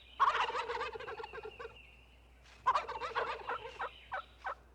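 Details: Wild turkey tom in spring mating season, when toms gobble to attract hens: two rapid, rattling gobbles, each a fast burst of throaty, descending notes lasting over a second, with a quiet pause between.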